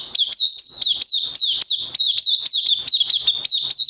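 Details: Oriental white-eye kept in captivity, second day on supplements, delivering a rapid string of high, hooked chirps, each sliding down and flicking up, repeated several times per second without pause.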